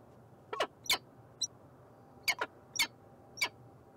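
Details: Harsh, scratchy calls of a peregrine falcon recorded in Montreal, Canada, about six sharp notes in irregular rhythm, some paired, with a soft short chirp between them against a low constant hum.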